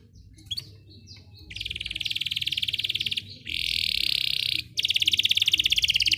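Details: Belgian canary singing, recorded for training other canaries to sing: after a few soft chips, a long buzzy trill of fast pulses, then a steadier rolling tour and a final rapid rattling trill.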